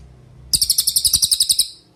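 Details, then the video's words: Cililin master song for training other songbirds: about a dozen bright, high, piercing notes delivered in a quick even burst lasting just over a second, against a quiet background. "MASTERAN CILILIN GACOR – Suara Jernih Untuk Murai Batu, Cucak Ijo, Kacer"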